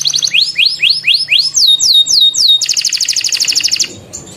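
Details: Canary singing a long rolling song with close-set bursts: looping rising whistles repeated about three times a second, then falling swept notes, ending in a very fast ringing high trill. Faint low hum underneath.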